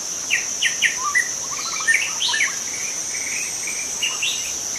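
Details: Young wild white-rumped shama singing in forest: short whistled notes and quick trills, some rising, others falling, delivered in varied phrases over a steady high insect drone.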